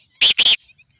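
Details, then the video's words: A Black francolin gives two loud, harsh, grating notes in quick succession, a fragment of its rasping call, with nothing else heard. "Black partridge voice"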